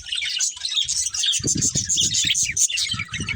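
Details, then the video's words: Budgerigar breeding pair chirps in quick, clear whistled notes and squeaky twitters over continual low rustling and thumping. "Cute Budgies Chirping Sounds"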